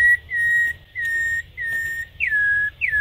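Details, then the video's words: Campo troupial (corrupião) in Brazil, long wild song style: a run of level whistles, then two whistles that drop from a high start, over a low background hum. "Cantos De "Corrupião" MAIS BONITOS e MELHORES"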